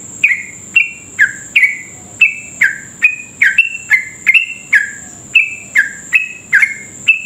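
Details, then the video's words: Sooty-headed bulbul delivering its fast 'ropel' lure song meant to provoke other birds to sing: a steady string of short liquid whistled notes, about two per second, alternating higher and lower, with a thin continuous whine in the background. "trucuk gacor ropel panjang cocok buat pancingan trucuk cepat ropel"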